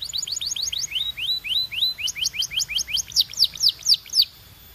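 A Belgian canary sings a fast run of rising whistled notes, then a quicker series of bright falling chirps, about four per second, high and clear.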